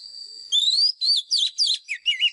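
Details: Wild Oriental magpie-robin giving a fighting song, used as a lure and for voice training of caged birds: a long rising whistle, then quick swooping slurred notes in short bursts over a steady high background tone.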